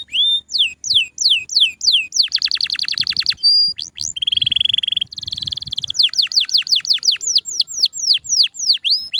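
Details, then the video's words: Canary song, varied and melodious: runs of sharply falling whistled notes, then fast buzzy rolling trills around mid-high pitch, a brief chattering passage, and more falling whistles at the end; no other sounds. "Melodi Indah Burung Kenari"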